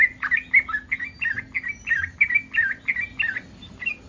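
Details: Yellow-vented bulbul in breeding condition, calling to provoke other bulbuls into answering: a steady stream of bubbly, liquid chirps, about three per second, with a low hum underneath.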